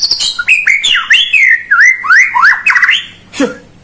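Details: Energetic white-rumped shama song meant to trigger singing in a quiet bird: tumbling series of loud, slurred whistled notes sweeping up and down, ending with a short harsh squawk.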